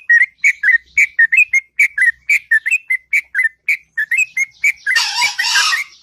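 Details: Sooty-headed bulbul in a long melodious morning song: quick repeated whistled notes with up-and-down slurs, ending in a burst of harsh, noisy chatter near the close.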